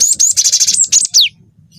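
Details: Long rolling song of a young cinereous tit in full voice, used to provoke other birds to sing: a fast, dense rattle of high notes lasting about a second, finishing with one sharp whistle sweeping steeply down.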